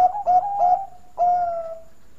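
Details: Perkutut Bangkok (zebra dove) cooing in a mellow lure song: three steady, level coos in quick succession, a brief pause, then a longer coo that slowly fades and dips.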